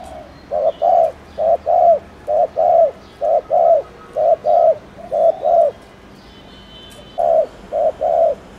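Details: Rapid stimulating coo of a spotted dove in the 'gù' style: rounded low notes in quick pairs, around sixteen in all, with one pause of about a second before the pairs resume; faint hum behind.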